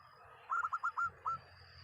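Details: Local zebra dove giving a short, loud song phrase: five fast, bubbling coo notes followed by one separate note, against low rumbling background noise.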